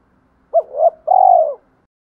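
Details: Spotted dove decoy coo meant to provoke rival doves into fighting: a short hooting note, then a longer, steady mid-pitched coo lasting about half a second, in quiet surroundings.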